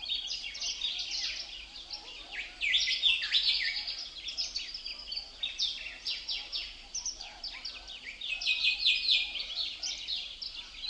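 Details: Several birds chirping together outdoors as wind moves through leaves, a dense, continuous wash of high, overlapping tweets and short downward-sweeping notes with no clear gaps.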